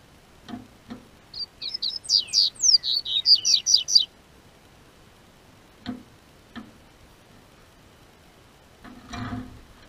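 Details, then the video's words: Double-collared seedeater in a breeder's care in southern Brazil, singing with the onset of warmer weather: a brisk phrase of high whistled and trilled notes lasting about three seconds, followed by quiet with occasional clicks and a muffled thump. "O Tempo Esquentou, COLEIRO Cantou"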